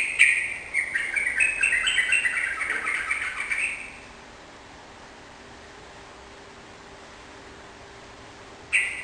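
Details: Sooty-headed bulbul singing vigorously, used to coax a kept bird into singing back; a four-second run of rapid, bubbly whistled notes, a long pause, then a new phrase begins.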